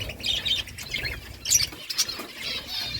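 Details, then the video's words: Budgerigars chirping: soft warbled chatter and short squawks at high pitch, uneven bursts with quiet gaps, faint low hum underneath. "Beautiful budgies birds chirping sounds"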